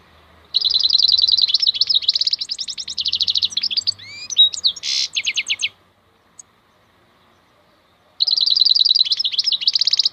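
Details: Wild European goldfinch, maknine khalwi in local speech, in energetic song: a long five-second run of fast trills, liquid slurred whistles and a grating buzz, then a short pause and another rapid trilled phrase.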